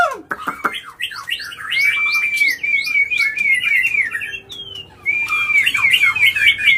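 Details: White-rumped shama singing agitatedly without pause to provoke other birds: a few downward-swept notes open, then warbled twittering over a long, slightly wavering whistle, a brief lull and another whistled run.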